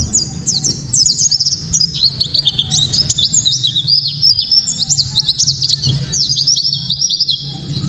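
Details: Loud, sharp 'tembakan' of a white-eye (pleci kaca mata), a lure to make other white-eyes sing: a fast, continuous run of very high, thin, steeply falling notes, crowded together for the whole stretch over a faint low hum.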